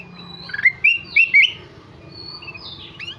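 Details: Ruby-throated bulbul singing energetically: a short burst of bright, clear whistled notes, rising and slurred, delivered in a quick cluster, then fainter higher whistles against a soft low background hum.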